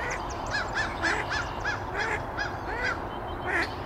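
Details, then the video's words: A mallard hen gives a run of about a dozen harsh, nasal quacks, three or so each second, over a steady background hiss; 9 April 2024, Canoe Meadows Wildlife Sanctuary, Pittsfield, Massachusetts. "mallard hen"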